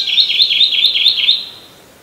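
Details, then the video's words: Kentucky warbler singing in early July at Townsend's Park, Murrysville, Westmoreland County, Pennsylvania; a loud rolling series of six or seven identical two-part slurred phrases, rapid and even, ending abruptly in quiet background. "Kentucky Warbler singing"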